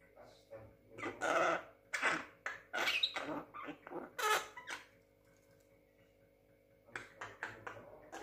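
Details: Javan myna, young bird aged six months, mimicking people's speech indoors: rapid talk-like syllables and squeaky, hoarse notes for several seconds, then near silence before a few softer sounds.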